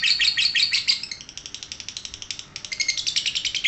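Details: High, rapid lovebird chatter in ngekek style: a loud opening flurry of sharp chirps, then a lighter, evenly pulsed twitter, with a brief pause before resuming more strongly.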